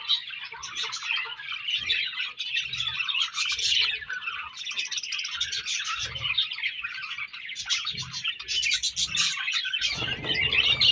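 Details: A group of budgerigars during breeding season chirping and warbling nonstop, some harsher squawk-like notes, and a burst of broadband rustle at the close.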